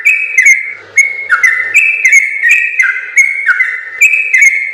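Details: Yellow-vented bulbul delivering a long, lively training song for other birds: ringing whistled notes with quick downward slides, steady and rapid, with a brief soft ticking near the start.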